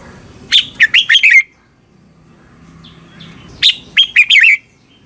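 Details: Red-whiskered bulbul (chao mao), Thailand, song for training or exciting caged birds: two matching phrases of rapid, fluty notes with downward slurs, separated by about two seconds of near silence.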